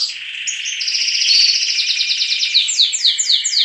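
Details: At first light in a canary breeding room, adult and young canaries sing in chorus: a steady buzzy rolling trill builds, then gives way to a series of quick repeated downslurred notes, several birds overlapping.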